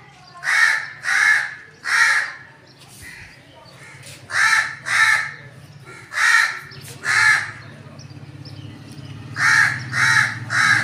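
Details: Crow calling: harsh, hoarse caws given in short bursts of two or three, about ten caws in all with brief pauses between groups, over a steady low hum in the background.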